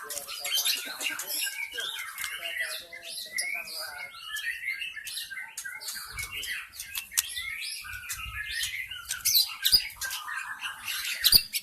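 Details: Wild white-rumped shama in forest, recorded as lure song to attract others: a long, fast stream of varied chirps, whistles and clicks, fairly soft, with a faint low rumble partway through.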